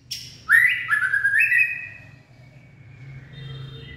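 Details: Late-afternoon song of a white-rumped shama, recorded 18 February 2024: loud stepped whistles climbing in short jumps, a long bright note fading slowly, then soft high tones, with a constant low hum beneath.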